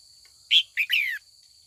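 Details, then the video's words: Trained female red-whiskered bulbul calling in the afternoon to goad mature wild-caught males into dueling song. One short clear note is followed by a buzzy double note and a drawn-out downward-sliding slur. A faint constant high tone sits behind it. "Luyện chào mào mái chiều gọi bổi già rừng hót đấu ra giọng chuẩn nhất vùng miền"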